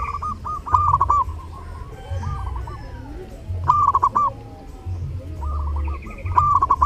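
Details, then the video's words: Zebra doves singing during Lebaran, with repeated phrases of rapid, bubbling coos roughly every two to three seconds. Quieter birds reply in the gaps, a thin higher call appears late, and a deep hum runs throughout. "SUARA PERKUTUT: Burung perkutut gacor saat lebaran"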